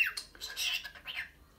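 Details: A pet cockatiel inviting its owner to play chase gives a quick run of harsh, raspy, high, grating squawks one after another.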